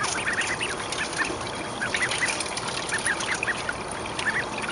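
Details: Mallard ducklings, 29 days old, raised in a school courtyard where a female mallard nests each spring and is given food and a swimming area; short high peeps repeated rapidly throughout, over steady trickling water.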